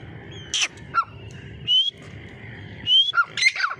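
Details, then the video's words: Grey francolin giving loud, harsh notes with sharp rising whistles, about three phrases in under four seconds, over a steady low background rumble. "Dhakni teetar ki awaz|teetar voice|grey francolin voice"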